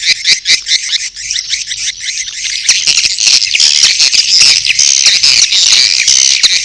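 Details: Mating calls of swiftlets alongside chick calls: pulsed high chirps at first, swelling after three seconds into an unbroken, dense buzzy chatter.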